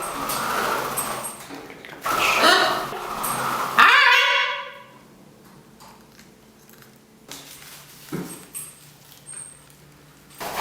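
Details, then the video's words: A 14-year-old female rescue green-winged macaw, excited while other parrots are flight-trained nearby, gives loud, raspy, voice-like bursts and a falling harsh "hi", then goes quieter; a person's voice answers softly. "Green Winged Macaw - Parrot Says Hi!"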